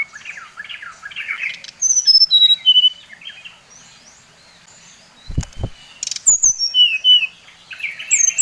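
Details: Brown-chested jungle flycatcher of Bali type giving a provoking song: a rough twittering opening, then runs of pure whistles falling in pitch, repeated after a pause with low thumps in between.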